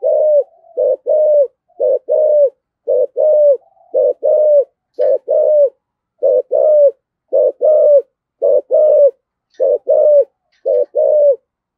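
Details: Sustained 'thổ sấm' voice decoy calling by a spotted dove: a long run of about ten paired coos, short note then longer slightly falling note, delivered in a steady, regular rhythm.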